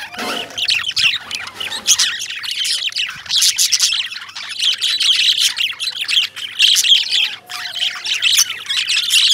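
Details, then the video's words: Lovebirds chirping in a dense, continuous chorus of shrill, high twittering and squawky notes, rising and falling in bursts with barely a pause throughout. "Amazing Lovebirds Sounds, Love Birds Making Sounds,Love Birds Chirping,Chirping Sounds Of Love Birds"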